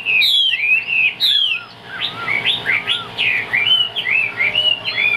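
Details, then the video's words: Chinese hwamei kept as a cage bird, singing loudly: sharp downward-swooping whistles at the start, then a fast varied series of looping, slurred whistled notes. "Bộ khủng hót cực tốt, đuôi lá vả, hót cao cầu | Họat Họa Mi"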